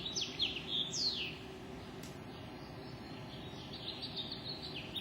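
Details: Birds singing at dawn, 5:33 in the morning, with quick high chirps and downward-sliding whistled notes in the first seconds, then softer scattered twitters over a steady low background hum.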